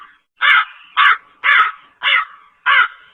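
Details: Five harsh, nasal caws from a slender-billed crow, each a short rasping burst repeated about every 0.6 seconds, with a clean quiet background.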